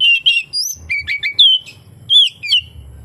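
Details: Oriental magpie-robin song of short whistled phrases, some wavering and some sharply upslurred, with brief pauses between, faint low rumble beneath.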